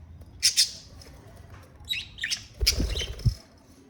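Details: Pet budgerigar giving two quick sharp squawks, then a burst of scratchy chirps and another harsh squawk, with dull thumps heard alongside the later calls.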